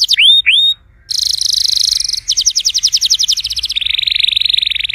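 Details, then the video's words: Canary song for getting a silent canary to sing: two loud falling whistles, a pause, then a dense buzzy roll, a rhythmic pulsed trill and a fine fast reel. "PUTAR VIDEO INI JIKA KENARI ANDA MACET BUNYI"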